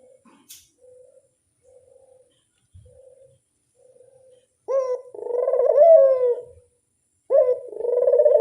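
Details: Soft, short muffled notes first, then a ringneck dove lure call begins: an abrupt rising note, a rolling, throbbing coo, and a second rising note with a coo.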